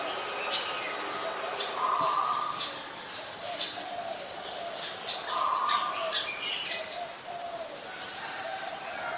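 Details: Adult red-whiskered bulbul at Ubon Ratchathani, Thailand, on 31 December 2020; short, bright chirping phrases repeat quickly, with two longer steady whistled notes, fairly faint over soft background noise.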